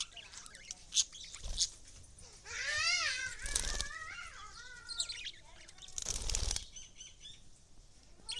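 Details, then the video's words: Lovebirds chattering with warbling, harmonic chirps that rise and fall through the middle of the clip. Several sharp broadband bursts, like wing flaps or rustling, break in around the calls. "Love birds making lovEly square"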